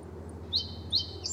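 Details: A male song sparrow very close to a simulated intruder during a playback experiment gives quiet soft song while wing-waving, an early threat signal. Three brief, high, thin notes come about every half second, faint over a low steady hum.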